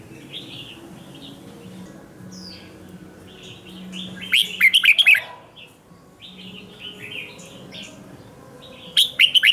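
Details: Captive red-whiskered bulbul in Vietnam singing for morning song training in 'ché' competitive style. Softer background bulbul warbles run throughout. A loud chattering burst comes midway and another at the end.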